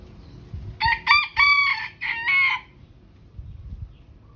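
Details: Bantam chickens crowing to one another: one loud crow of four or five harmonic, strained syllables lasting about two seconds, with faint low background noise before and after.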